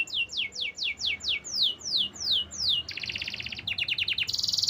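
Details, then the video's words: Canary song: slow, evenly spaced downward-sweeping whistles about every half second, then a switch to a fast buzzy trill and a dense rattling tour. "Natural Sound of Forest Birds Chirping || Canaries"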